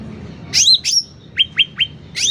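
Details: Sooty-headed bulbul in lively song, recorded loud for tutoring and luring: two sharp downslurred whistles, three quick clipped notes falling in pitch, then another high whistle, over a faint low hum.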